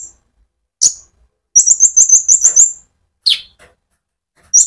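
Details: Konin sunbird singing energetically to stimulate other birds: a few isolated high chirps around a quick run of about eight sharp, very high notes in a rapid burst.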